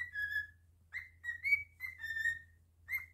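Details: Pet cockatiel singing indoors: clear whistled phrases, each note slightly rising or level with bright overtones, delivered in short bursts separated by brief pauses, with a low steady hum underneath.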